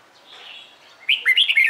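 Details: Red-whiskered bulbul morning training song; a faint thin whistle, then the start of a loud, bubbling warbled phrase that is cut short.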